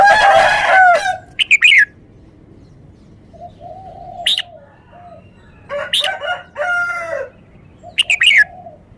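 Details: Red-whiskered bulbul delivering its song phrasing clearly note by note: a rich, throaty warble opens, followed by crisp descending whistled chirps, soft low murmurs, another full harmonic phrase and a closing bright chirped phrase.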